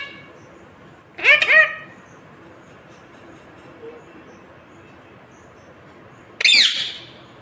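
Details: Green ringneck parrot talking in two short, raspy, speech-like bursts about five seconds apart, each made of a few quick syllables with bright harmonics, with near silence between them.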